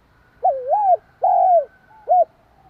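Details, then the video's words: A single fast phrase from a spotted dove used to excite a rival dove: a wavering two-humped coo, a long smooth falling coo, then a short sharp closing note, over a quiet low hum. "Tiếng chim cu gáy kích bổi, tiếng gáy nghe ức chế."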